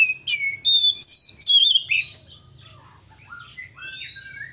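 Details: Oriental magpie-robin male singing, a song meant to provoke rival magpie-robins; bright loud whistled phrases and sweeping slurs crowd the first two seconds, then softer scattered twitters and rising whistles trail off.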